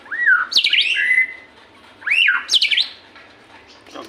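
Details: White-rumped shama in captivity, singing to get other shamas to sing: two loud phrases, each an arched whistled slur followed by quick jumpy high notes, about two seconds apart.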